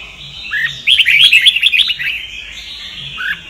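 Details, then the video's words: Red-whiskered bulbul giving a Sông Kon song meant for training other birds: a low upslurred note, then a lively rush of tumbling chirps and warbles, fading before a final low rising note. "Chào mào luyện giọng cực hay"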